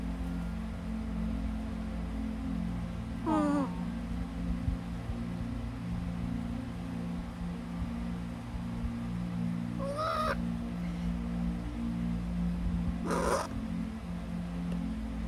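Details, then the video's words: A pet Eclectus parrot napping in his nap corner makes sleepy noises: three soft, brief wavering squeaks, spaced several seconds apart, over a steady low household hum. "makes sleepy noises in his nap corner"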